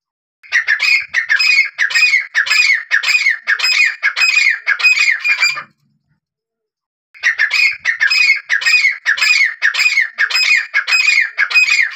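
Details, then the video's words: Grey (gray) francolin, teetar, in a hunting-call recording: loud, harsh, ringing notes, about two per second, in two bursts of roughly ten separated by a short silence. "Gray Francolin Hunting Sound"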